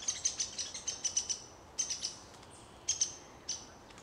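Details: A Downy Woodpecker defending its nest territory from a Hairy Woodpecker at Plymouth Township Park, Michigan, gives a quick chatter of sharp, high notes, several per second, then a few isolated high calls after a pause.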